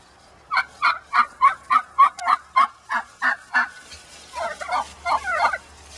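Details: Mad laying hen inside her pen gives rapid gobbling honks, about three a second, after a quiet start. The notes become rougher and more broken near the end as background hiss rises.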